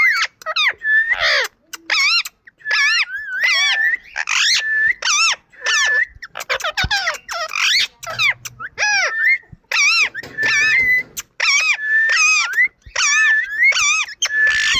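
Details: Indian ringneck parakeet in a long, steady run of chattering squawks, regularly interspersed with short flat whistled notes, sustained for about fifteen seconds.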